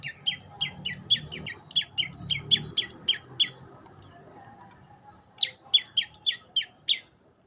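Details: Olive-backed tailorbird giving rapid, repeated high chirps with quick upward flicks, a dense run of a dozen notes, a short pause, then another fast burst; light low rumble in the background.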